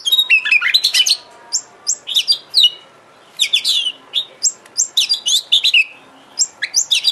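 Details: Oriental magpie-robin (kacer) song used as a lure recording to make a kept bird sing eagerly, get excited and fan its tail: dense bursts of sharp, high whistled and chattering notes, some sliding downward, in rapid phrases with short pauses.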